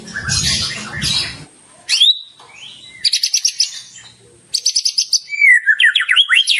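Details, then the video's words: Vigorous white-rumped shama song rich in mimicked phrases. A noisy rasping passage gives way to a sharp upslurred whistle, then fast rattling series of high clicks and a closing run of wavering whistled notes. "masteran burung murai batu gacor bongkar isian mewah"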